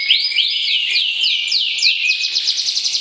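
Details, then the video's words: White-rumped shama calling before breeding to stir the opposite sex. It delivers a rapid, high, continuous stream of sweeping whistled notes that turns into a fast trill toward the end. "PERJODOHAN Murai Batu, PANCING Birahi Lawan Jenis"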